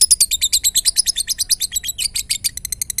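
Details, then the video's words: Lovebird giving a rapid 'ngetik' song meant to provoke other lovebirds into singing: a fast, steady train of sharp, high chirps, roughly eight to ten per second, running on without a break. "Suara Lovebird Ngetik ini Paling Ampuh~Merangsang Semua Jenis Lobet Terpancing Emosi!!!!"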